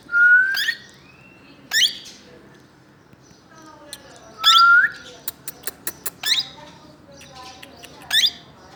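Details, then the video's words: A plum-headed parakeet gives five shrill, rising whistled calls a few seconds apart, with a quick run of sharp clicks or taps between them. "Plum Headed parrot making sounds"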